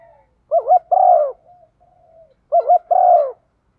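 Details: Female spotted dove giving its coo, played so decoy and wild males will answer during wind and rain: two matching phrases, each a wavering double note then a long mellow coo sliding downward.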